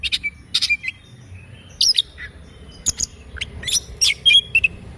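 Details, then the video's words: Oriental magpie-robin singing in the morning, scattered sharp chirps and short squeaky whistles in uneven bursts over a low rumbling background. "Kicauan Kacer Dipagi Hari"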